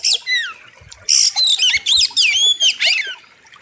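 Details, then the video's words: Oriental magpie-robin (kacer) master recording for training birds, wild river theme: rapid sequence of loud slurred whistles, falling and rising notes interleaved with harsh buzzy squawks, roughly four notes per second. "KACER SADIS & KERAS, Ultimate Wild River | Masteran Kacer Gacor Tajam Full Isian"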